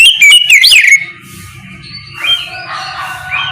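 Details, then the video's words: Morning ngeplong song of an Oriental magpie-robin, played to coax other birds into replying; a single one-second burst of loud, twisting whistled notes, then softer distant chirps over a faint low hum. "Suara ngeplong Kacer di pagi hari, pancingan Kacer agar mau nyaut bunyi!!"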